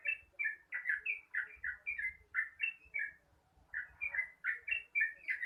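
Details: Yellow-vented bulbul giving a long, rapid morning song of bubbly, fluty two-note phrases repeated many times in quick succession, with a brief pause midway and low background rumble.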